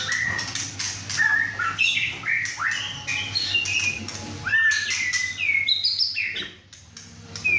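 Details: Young caged male White-rumped shama, six and a half months old, fresh from his first moult, singing hard at home during his first chai session beside other birds: rich run of varied whistled phrases, slurred rising and falling notes, dense and nearly continuous.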